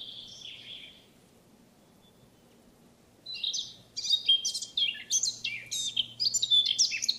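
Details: Eurasian blackcap, a wild bird recorded in France: a short warble, about two seconds of quiet, then a burst of quick, scratchy, chattering notes rising into a bright, varied song.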